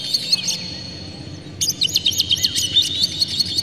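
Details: Oriental magpie-robin singing emotionally with its tail spread, a song meant to spur rival magpie-robins: high sweeping notes, a short pause, then a fast string of sharp, repeated chirps over a faint low hum.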